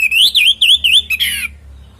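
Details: Up close, a lively orange-headed thrush gives a loud, rich whistled phrase that rises and falls in quick waves and ends in a harsh, buzzy flourish. The natural song is used as a lure for other birds.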